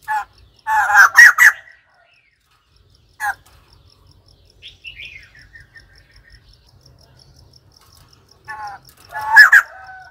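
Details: White-crested laughingthrush giving loud harsh cackling bursts near the start, a short note around three seconds, faint softer notes in between, and another strong laughing burst at the end.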